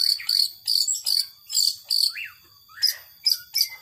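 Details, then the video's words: Captive long-tailed shrike giving 'power sobek' song of short buzzy bursts with a piercing steady high tone, interspersed with a couple of sliding whistled notes. "Burung Cendet Power Sobek"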